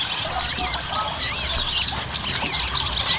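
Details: Sogon, the Ruby-cheeked sunbird, in a singing lure: thin, piercing chirps and arched slurred whistles tumble over one another, a few lower looping notes mixed in, with faint hiss behind.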